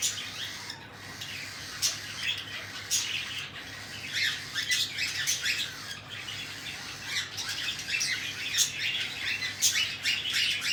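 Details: Cockatiel parents feeding their chicks, which answer with a steady stream of short, harsh, hissing rasps and squawks at an uneven pace.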